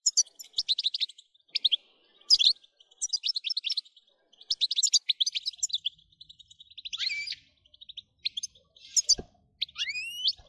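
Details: European goldfinch in 'batbata' song, played to rouse goldfinches into continuous singing: quick liquid twitters and buzzy trills, a drawn-out nasal note near the middle, and rising slurred whistles at the end.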